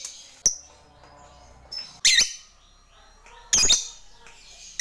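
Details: Lovebird kept as a fighter bird, calling out to a rival: sharp, scratchy high squawks spaced irregularly, with a short faint chip in between and a quiet background.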